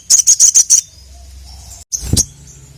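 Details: Five quick, loud, very high chips from a ruby-cheeked sunbird challenging rival males, followed by a pause, a soft thump, and one more sharp note.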